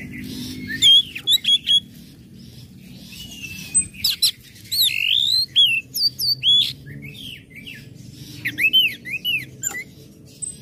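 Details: Orange-headed thrush song in the ngecip, ngecit and ngeplong styles, used to stir other birds into breeding condition so they join in; sharp high whistled notes, many hooked and upslurred, in short bursts separated by brief pauses, with faint low hum beneath.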